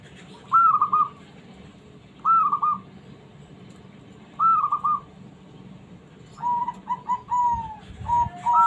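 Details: Small zebra dove, used to provoke reluctant doves into calling, gives soft, rolling coos in short bursts about every two seconds, then a longer run of stuttering notes, over a faint low hum.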